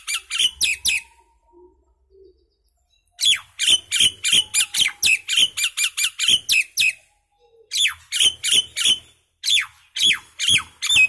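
Common myna singing in rapid bursts of harsh, squawky notes mixed with sharp whistles, several notes a second, with short pauses between phrases.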